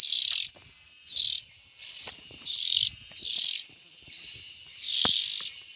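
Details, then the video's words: Series of about eight buzzy, scratchy hissing calls from young bulbuls, evenly spaced, with faint taps and clicks in the background. "Tiếng chim chèo non.suab mi nyuam noog siv txaij"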